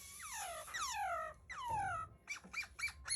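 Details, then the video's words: Laughingthrush (khướu) singing: loud descending whistled slurs falling in pitch, three long sweeps followed by short rapid rising-falling notes, in a quiet indoor setting. "tiếng chim khướu hót"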